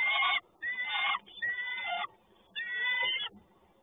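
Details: Peregrine falcon in Toruń, Poland, recorded 30 May 2019: four harsh, rasping, nasal calls, each about half a second long, with short gaps between them.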